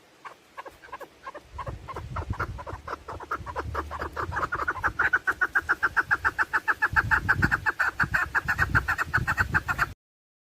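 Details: Female chukar partridge call used for hunting: scattered clucks build into a fast, regular series of harsh chuck notes that grows louder and steadier, over a low rumbling background noise.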